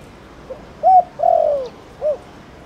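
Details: Spotted dove of Thổ Đồng type calling to stimulate other doves; a single low phrase: faint lead note, short clipped coo, long drawn falling coo, then a short rounded final coo.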